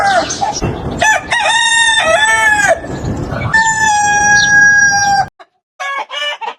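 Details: Roosters at a chicken farm give a run of loud, ringing crows. Several strong harmonic phrases rise and hold, the longest lasts almost two seconds, then there is a short silence and a brief final call.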